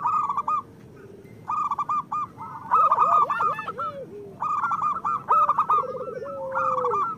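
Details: Local zebra dove song, used to coax silent doves to sing. Higher pulsed cooing bursts separated by pauses; a low trilled phrase with a held ending comes near the close, with a few sliding notes mid-clip.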